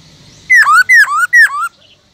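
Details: Caged black-throated laughingthrush sings three loud, identical two-part whistles, each dropping sharply then rising again, evenly spaced about half a second apart.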